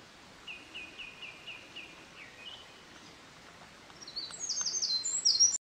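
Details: Eurasian wren by a mountain stream, 24 May 2013, bursts into loud, very high, rapid trilling song, competing with a distant Japanese thrush whose softer repeated mid-pitched notes come just before.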